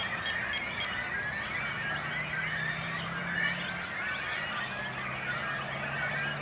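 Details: A Great Cormorant breeding colony on a small island in a little lake in Langedijk, between Noord and Zuid Scharwoude: a steady wall of overlapping high, wheezy squeals and squawks from many adults and young over a faint low hum.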